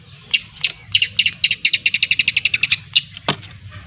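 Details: Young long-tailed shrike from Lampung learning to sing: a rapid run of scratchy clicking notes that speeds up into a steady chatter, ending with a single louder sharp note, over a faint low hum.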